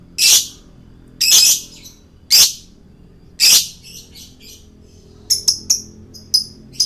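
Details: Male lovebird song used for luring birds: four loud, grating squawks about a second apart, followed by softer chatter and a quick series of sharp high chirps.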